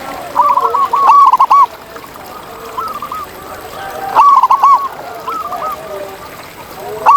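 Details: Local zebra doves in nature: a lead bird gives rhythmic bursts of chuckling coos roughly every three seconds, answered by fainter cooing from neighbouring doves.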